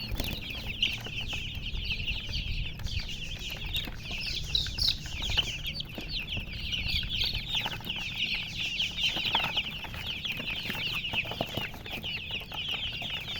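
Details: Baby chicks with a hen, a continuous dense chorus of high, rapid peeping chirps from many birds, overlapping without pause, with low rumbling background noise underneath.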